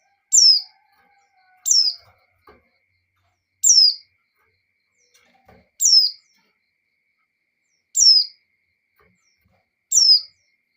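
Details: Female white-eye in breeding condition calling to provoke the male: six clear high descending notes, roughly every two seconds, with faint clicks between them.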